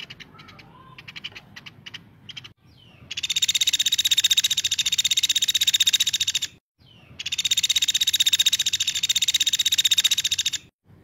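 A woodpecker gives two long, shrill, rapid-fire trills, each about three and a half seconds, after a few softer chirps at the start.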